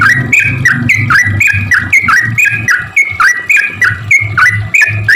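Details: Sooty-headed bulbul (trucuk) singing in a lively, chattering style used as a lure for other bulbuls: rapid run of clear whistled notes, each dipping then rising, repeated about three per second over steady low thumping background noise.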